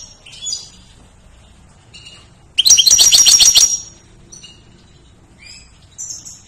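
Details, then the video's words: A goldfinch sings for use as a tutoring recording for songbirds. Scattered high twitters and thin whistles frame one loud burst of rapid, chattering, metallic notes lasting about a second. "GOLDFINCH GACOR"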